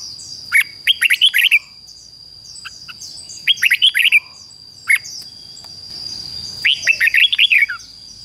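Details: Decoy red-whiskered bulbul singing to draw in wild birds, giving repeated short phrases of five or six liquid notes, a lone note between phrases, and a constant high-pitched background whine.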